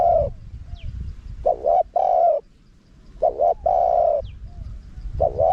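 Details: Spotted dove, wild style with a small voice, recorded to lure wild birds. Repeated phrases of a double-note coo and a long level coo come roughly every two seconds, with faint soft notes in the gaps.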